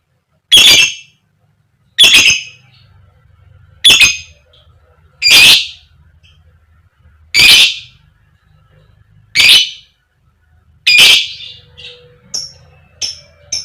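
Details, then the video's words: Koek koek calls of a female fighter lovebird meant to lure other birds into song: seven grating squawks at irregular gaps of one and a half to two seconds, ending in several thin, high, quick chirps over a faint low hum. "Pancingan Lovebird Betina Biar Cepat Gacor, Lb Koek Koek, Lovebird Chirping Sound"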